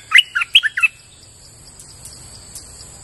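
Streak-eared Bulbul giving a quick burst of about five bright, bubbling chirps in under a second, then quiet with only a steady high hiss behind.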